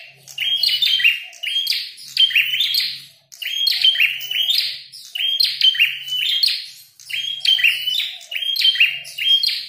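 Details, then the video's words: Prinia with a red head, prenjak kepala merah, fighting and singing loudly: repeated bursts of scratchy chirps and buzzy notes about every second, steady through nearly ten seconds, with a soft low hum in the background. "Prenjak tarung gacor | prenjak kepala merah"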